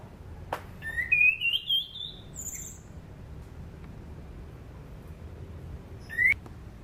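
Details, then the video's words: Sunda pied fantail singing, used as a training lure for cage birds. A sharp click leads into a rising series of buzzy whistled notes and a high, drawn-out squeal. A lone short upswept note comes after a pause. "SUARA ASLI ANIS CENDANA"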